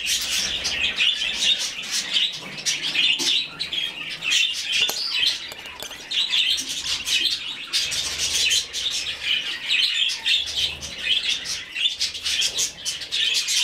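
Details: During hand-feeding, a rescued budgerigar chick chirps insistently: high, buzzy notes in long strings broken by short pauses, loudness pulsing throughout.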